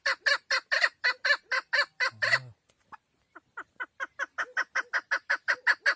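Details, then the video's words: Female chukar partridge, a hunting recording: loud, harsh chuck notes repeated about four times a second, a short break with a few softer scattered notes, then the rapid chucking resumes steadily to the end. "Овози модкавг dişi keklik sesi"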